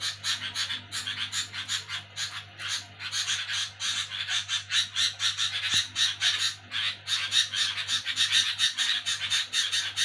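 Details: Sooty-headed bulbul making a noisy screeching racket at night: rapid, rasping, broadband chatter in dense uneven bursts for ten seconds, with a constant low hum beneath.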